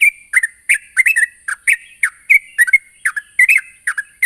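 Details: Sooty-headed bulbul calling to a rival: rapid run of short chirpy notes, each dropping or bending, repeated several times a second, with a steady high hiss above throughout.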